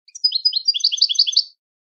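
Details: European goldfinch song: a quick tinkling run of high twittering notes with chirrups and liquid trills, about one and a quarter seconds long, on a clean silent background.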